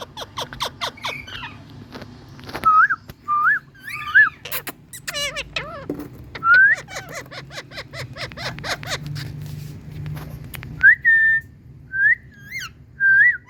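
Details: Indian green parrots (rose-ringed parakeets) calling: a burst of harsh, rapid chattering squawks, then short rising whistled notes repeated about every second, with brief pauses between bouts and faint low background hum.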